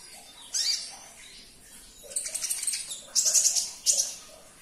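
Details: Sunbird song to prompt a caged bird: a single high chirp, then fast stuttering runs of sharp, high notes repeated in quick succession toward the end.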